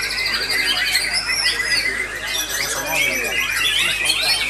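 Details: Several White-rumped Shamas sing over one another at a songbird contest session, a rich, continuous tangle of high, varied whistles, trills and rapid slurred phrases.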